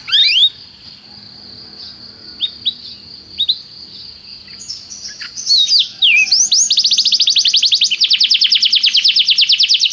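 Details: Canary tutor song for training: quiet at first, with a steady thin high whistle and a few soft chirps, then a few rising notes and a loud, very rapid high trill filling the last four seconds.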